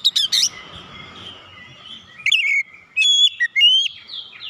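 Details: Magpie-robin (kacer) in lure song meant to start a silent bird singing: scattered sharp notes over soft warbling and hum, then clear whistled notes, some long and level, some falling.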